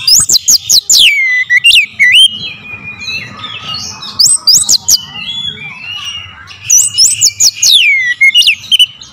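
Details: Powerful oriental magpie-robin lure song: dense volleys of sharp chips and down-slurred whistles, a quieter warbling middle section over a low hum, then another burst of piercing notes.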